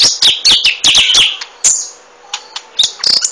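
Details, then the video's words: A rapid burst of sharp, high chirps from a golden-fronted leafbird, about five per second, followed by scattered single notes and a final quick trill. "Golden fronted leafbird"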